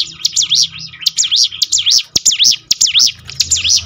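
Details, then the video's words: A prinia's continuous song, used to encourage birds to sing more often: loud, high whistled notes swinging rapidly up and down, about two per second, broken by a few sharp clicks over a low hum. "ciblek gunung mana yang gak tergoda ikut berbunyi"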